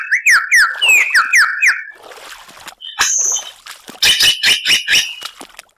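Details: Superb lyrebird song opening with quick, loud, downward-sweeping whistles in a rapid series. These give way to a softer rustling passage, then a burst of buzzy, scratchy notes and clicks.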